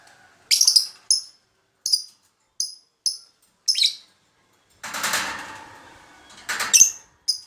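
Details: Lovebird in a master pancingan recording, also called tarian: a series of short, shrill, high chirps at irregular intervals, broken by a burst of rustling or rattling noise.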